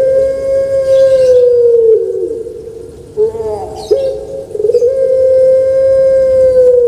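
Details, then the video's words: Pet puter pelung dove in Indonesia, prized on Java for its song, holding a long even mellow tone that sags and breaks, followed by a wavering rise and another long sustained coo lasting several seconds. "Suara Merdu Menggema //Puter Pelung"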